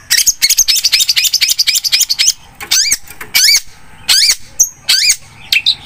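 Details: Long-tailed shrike in vigorous song: a fast, harsh chatter of squeaky notes, followed by spaced, looping, nasal mewing phrases at intervals of about a second.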